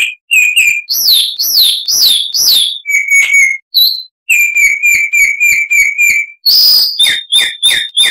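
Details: Chalk-browed mockingbird with a harsh-voiced song, a tutor recording for cage birds. Mixed phrases: repeated chips, swooping whistled slurs, a steady chipping run, a sudden loud buzz, and sharp ending notes.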